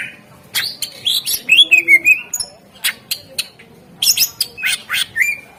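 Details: Greater green leafbird kept to stir other birds into song gives bright chattering phrases of sharp chips and descending slurred whistles, in two groups with a brief pause.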